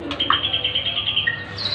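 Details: White-rumped shama giving a brief run of clear, steady high whistled notes, evenly repeated, ending in a slightly lower note and a higher one, with a faint low hum behind.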